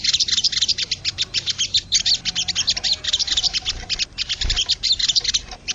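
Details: Wild crested jay giving a nearly continuous stream of fast, shrill chattering notes, pulsing rhythmically with only short breaks, plus a soft low thump midway.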